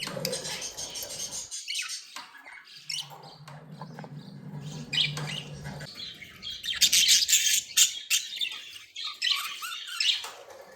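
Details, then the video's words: Happy, playing pet budgerigars chatter in squeaky, scratchy warbles and chirps that thicken into a dense high burst after the middle, over a low steady hum in the background. "10 Minutes of Happy & Playing Beautiful Budgies sounds"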